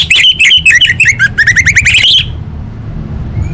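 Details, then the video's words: Orange-headed thrush singing a full-variation training song for competition birds: a fast, continuous stream of loud, rapidly repeated slurred whistles that dip and rise, about three to four per second, ending abruptly before quiet hum. "Masteran Anis Merah Full Isian untuk Lomba Besar & Latber Elite"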